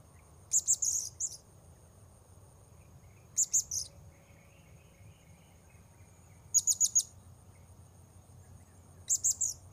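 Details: Blue-crowned hanging parrot at Port Baru, recorded while luring wild birds: loud bursts of three or four piercing, very high notes, each burst repeated roughly every three seconds, with silence between.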